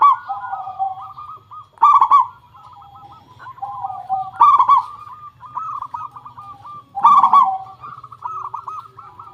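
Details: Local zebra dove song played as a lure to get doves singing: clicky openings followed by fast rolling coos, with phrases arriving roughly every two to three seconds and softer trilled coos in between.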